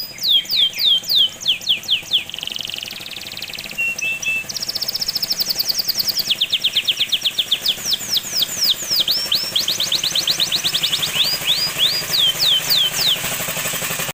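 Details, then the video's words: Canary song with dense rapid phrasing, played to spur young canaries to sing: long sequences of fast sweeping trills and rolls, repeated about four times a second and changing pitch, over a steady low background hum. "Gacor dorTembakan rapat kenari bahan ikut buyi"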